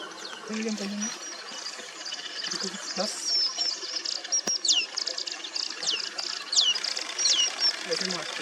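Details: Manipur fulvetta, or streak-throated fulvetta, recorded in April 2023 in the Mishmi Hills of Arunachal Pradesh, India: high, thin, steeply falling call notes, several in quick succession, over a constant hiss like a stream.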